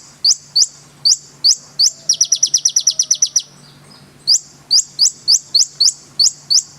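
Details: A konin sunbird repeats high, upward-swept whistles at roughly half-second intervals. A rapid burst of about a dozen shrill rising notes comes midway. There is faint background hum.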